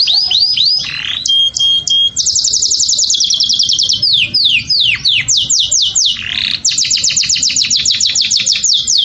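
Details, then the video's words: Canary in mating excitement, its song used to prompt breeding: fast rolling trills of high falling notes, a brief clear tone, then long bright runs of rapid repeated syllables with a few slower downslurs. "30:00 دقيقة من هيجان (تزاوج) الكناري تحفيز الكناري على التزاوج"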